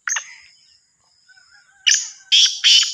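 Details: Black francolin, the Sindhi kala teetar from Sahiwal, opens with a short scratchy note, goes quiet amid a thin background whistle, then gives a grating burst of three or four loud, buzzy, rasping notes.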